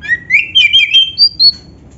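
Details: Lively phrase from a black-breasted oriental magpie-robin, used to stir other magpie-robins to sing: rising whistles climb through quick warbled notes to two high thin sustained whistles.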